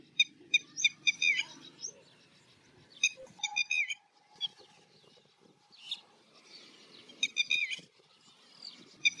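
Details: Background calls of a red-wattled lapwing as a little egret hunts for fish: bursts of shrill, sharply repeated notes in clusters, separated by quieter gaps with a faint steady tone and low background noise.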